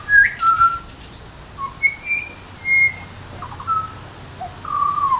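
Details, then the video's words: A butcherbird gives pure, fluty whistles: six or seven short notes, some sliding up or down, spaced irregularly over five seconds against a quiet background. "Butcher bird call"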